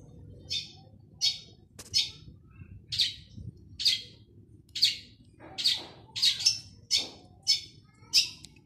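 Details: Lively male long-tailed shrike song, meant to stir silent shrikes into singing: crisp, scratchy high notes repeated about every half second, speeding into paired notes toward the end, in a quiet setting.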